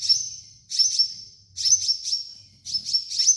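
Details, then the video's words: Sunbird (kolibri ninja) song for training: a long thin, high whistled tone broken by groups of three sharp chips, repeated about every second over a quiet background. "MASTERAN KOLIBRI NINJA DAN TERAPI KONIN BAHAN"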